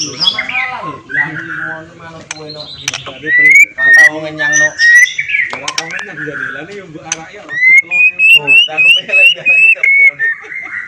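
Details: White-rumped shama singing to rouse breeding excitement and aggression so rival shamas answer and unload their learned songs: varied whistled phrases, short rising notes and a rising series of bright whistles near the end, with a low hum and chatter behind.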